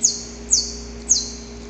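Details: Wild male Saffron finch singing before dawn to court a female: three loud, high, clipped notes, each sliding sharply downward, spaced about half a second apart over a low steady hum.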